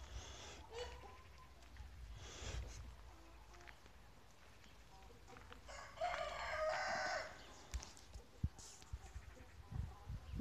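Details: Farmyard scene with soft clucking and knocks, then a chicken's loud crow of over a second, bright and harmonic, fading into scattered taps and low rumble.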